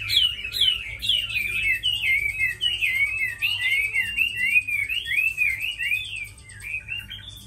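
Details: Chinese hwamei, a captive fighting bird, pouring out a long continuous string of clear, wavering whistles, looping up and down in rapid succession, fading slightly toward the end; faint low hum beneath.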